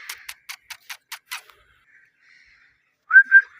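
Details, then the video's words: Parrot chirping: about seven short, raspy chirps in quick succession over the first second and a half, a near-silent pause, then two clear, slightly rising whistled notes close together at the end. "Chirping sound parrot"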